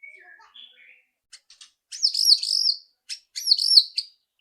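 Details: Loud rattling White-rumped shama song used as a lure to make a bird sing quickly: a few soft whistles, scattered clicks, then two intense high buzzy rattles.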